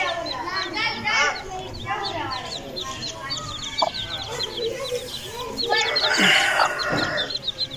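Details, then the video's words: Aseel chicken chicks peeping in rapid, high, thin notes repeated several times a second, with lower clucking notes early on and a louder, harsher burst of sound near the end. "BUTTY FULL CHICKS CUTE ASEELCHICKS SOOOO NICE CHICKS"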